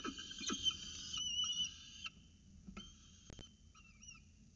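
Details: Peregrine falcons at a nest box in Orange on 29 October 2018, 9.36 am, during feeding, with an adult handing over prey. Drawn, harmonic squeals come first, then sparser, thinner whistled notes with a wavering end.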